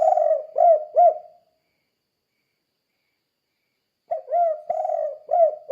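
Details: Cooing of a spotted dove, 'kuk 2' style, played to train other doves. A phrase ends with two rounded coos; after a pause, a fresh phrase starts with a short note, a long wavering coo and clipped hoots.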